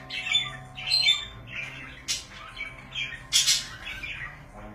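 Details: Pet budgerigars indoors give a run of harsh, raspy squawks and chirps, several bursts in under five seconds, each loud and noisy, then a brief quieter chatter.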